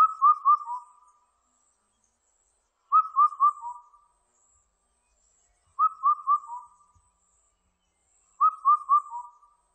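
Indian cuckoo singing its four-note whistled phrase, the last note lower, repeated about every three seconds; otherwise quiet.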